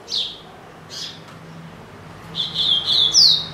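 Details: Pet double-collared seedeater in a cage: two brief, high chip notes a second apart, then a loud, ringing whistled phrase of rapid notes ending on a sharp rising sweep, against a steady low electrical hum.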